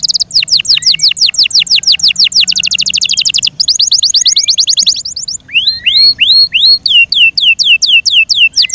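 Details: Pet Yorkshire canary singing a long tour of quick descending notes that merges into a thick trill, then shifts to spaced, hooked rising-and-falling whistles.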